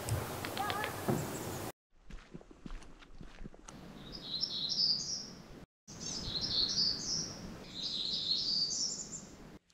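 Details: Black-throated gray warblers, a couple in dense cedars about 20–30 m away at a campsite, Vancouver Island, spring: high buzzy phrases of quick notes, each climbing in pitch, three times about two seconds apart; a man speaks briefly at the start.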